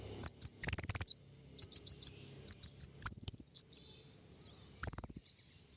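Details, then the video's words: King konin song as a trapping lure, clean high buzzy trills each followed by a short string of bright chirps, with silent gaps between phrases. "PIKAT KING KONIN SUARA PANCINGAN"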